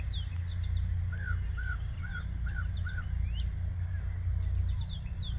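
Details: Yellow-breasted chat singing at Osborn Metropark, Huron, Ohio, 10:12 AM on 23 May 2023: a run of five low, hollow notes about half a second apart, mixed with sharp high whistles and chips, over a steady low rumble.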